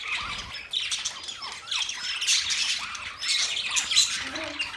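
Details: Budgerigars calling together, high chattering chirps and short rising and falling whistles in irregular bursts, a lively group warble throughout.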